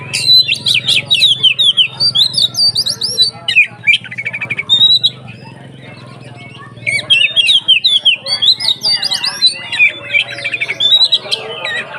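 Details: Oriental magpie-robin in 'ngeplong' style, a lure to stir up other kacer: fast, dense phrases of high whistled and buzzy notes, a short quiet gap midway, then another energetic burst over a low background hum.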